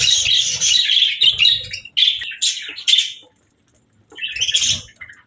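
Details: Budgerigar chirping in short bursts: several quick high warbled phrases, then a silent gap of about a second before one more burst of chatter.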